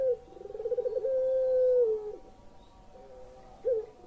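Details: Collared dove calling in the pelung manner, used as a lure for birds that will not call: a rolling, pulsing trill running into a long level coo that falls away, followed by a quieter note and a short upswept one.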